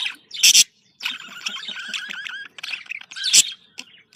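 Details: Budgerigar contact calls, said to sound happy: a sharp, loud squawk opens, then a steady run of rippling, whistled warble notes, another harsh burst near the end.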